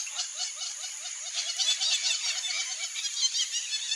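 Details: Wild flock of Brazilian teal calling together, a dense chatter of short chevron-shaped notes repeated several times a second, overlapping into a continuous hoarse, twittering chorus with a bright high hiss above.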